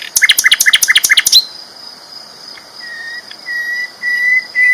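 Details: Sikatan londo flycatcher, sung loudly: a fast rattling trill of about a dozen sharp notes, then soft level whistles repeated after a pause, over a thin steady background tone.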